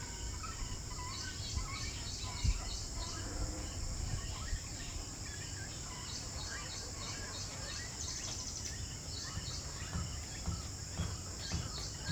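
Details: Cormorant chicks being fed keep up squeaky, rasping begging calls in quick overlapping bursts, with a steady high insect drone and low wind rumble underneath.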